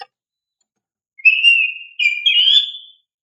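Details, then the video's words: Vigorous oriental magpie-robin song serving as a lure for young caged birds: a faint click, about a second of silence, then a sustained whistled note followed by a higher, rising warbled whistle. "Pancingan Kacer GACOR Cocok untuk Terapi Burung Kacer Bakalan agar LANGSUNG RESPON"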